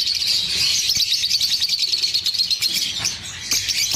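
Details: Green Fischer's lovebirds chirp constantly: dense, shrill chatter of high twittering notes, several birds overlapping without pause, a few sharper squeaks standing out.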